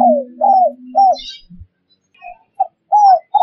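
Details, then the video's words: Spotted dove calls used as a lure to catch wild birds: soft arched cooing notes in short phrases with a gap of silence midway, over a steady low hum at the start. "COCOK UNTUK PIKAT BURUNG TEKUKUR DI ALAM LIAR"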